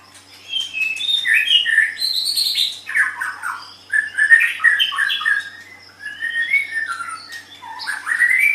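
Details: White-rumped shama in a cage, singing for the training of pet songbirds: a long, varied series of rich whistles, rapid chatters and slurred phrases in separate bursts, with a faint steady hum behind.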